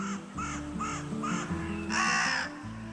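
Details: A carrion crow in Spain, host of the great spotted cuckoo, gives four short, harsh caws about every 0.4 seconds, then one longer, louder drawn-out caw, with soft music playing underneath.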